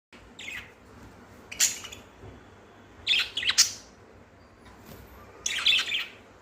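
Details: Playful budgerigars give short bursts of high, scratchy chirps and chattering squawks.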